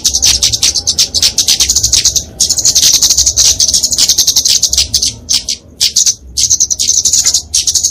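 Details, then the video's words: Flowerpecker (kemade) fighting song used for training and luring small songbirds: dense, very high, rapid ticking and buzzy trills in long bursts with brief pauses, continuous and loud. "Kicauan Kemade Tarung Untuk Masteran&Pikatan Burung Kecil"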